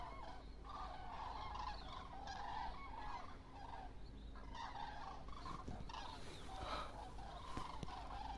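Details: Great migrating flock of common cranes passing overhead in October toward warmer lands: a soft, distant chorus of overlapping bugling calls, steady low noise and some faint music beneath.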